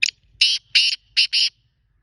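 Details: Black francolin (kala teetar) calling: a short clipped opening note, then four loud, harsh, rasping notes in two pairs, the second of each pair briefly separated, all within about one and a half seconds, with nothing else heard.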